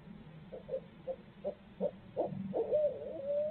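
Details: Barred owl at the nest in Midtown Tulsa, where the pair share parenting duties; a run of short clipped hoots about every 0.35 seconds, ending in a drawn-out wavering note, over a low steady hum.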